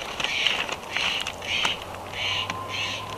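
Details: Bald eagles at a Big Bear Valley nest camera, 3 January 2021, as a pair meets at the nest: a few thin, high squealing notes about a second apart over a low steady hum.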